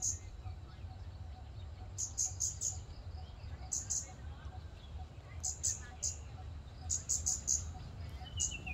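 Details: Scarlet-backed flowerpecker in a public park, heard as scattered short groups of thin, sharp, high tsit notes with longer silences between them; steady low background rumble.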